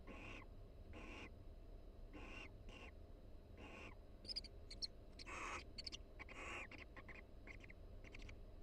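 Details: Breeding-season barn owl pair in a University of Florida nest box, vocalizing quietly between bouts of mutual preening: a few breathy hissing bursts, then softer chittering clicks and brief thin high notes.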